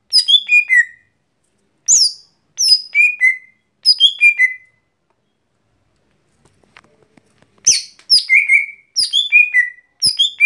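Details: Gotri, the lesser green leafbird, singing daily: falling series of four or five whistled notes repeated several times, a pause with faint clicks, then more rapid descending whistle runs.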